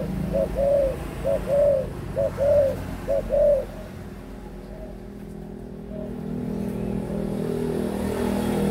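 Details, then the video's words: Adult spotted dove, 18 months old, cooing: about five soft, low, paired coos repeated roughly once a second, then two faint single notes, with steady traffic rumble throughout. "cu gáy trưởng thành 18 tháng"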